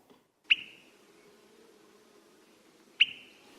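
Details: Swainson's Thrush giving two short, sharp, liquid "quip" or "whit" call notes about two and a half seconds apart, the call used to check territories on spring arrival, over faint hiss.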